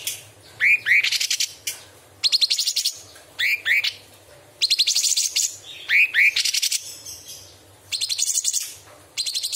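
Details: Straw-headed bulbul, a strong singer used as a training song with imitations of small and large birds and insects, sings loud bursts of sharp upslurred whistles alternating with rapid, buzzy high chatters, repeating every second or two.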